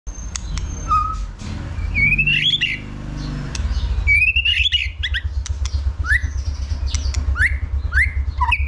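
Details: White-rumped shama stimulated to sing for competition, giving rising whistled notes and short slurred phrases with sharp clicks, over a constant low hum.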